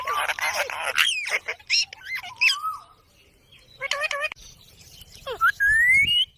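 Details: Ringneck parrot, a green parrot, giving harsh raspy squawks at the start, then scattered chattering notes and wavering calls, ending in a long, clear, rising whistle; no other animals stand out.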